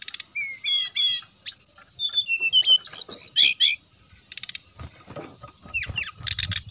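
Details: Song of a brown-chested jungle flycatcher, played to draw rival birds into singing: clear whistled notes, upswept slurs and buzzy rattles in quick bursts, a brief pause midway, then more chattering phrases with soft low thumps.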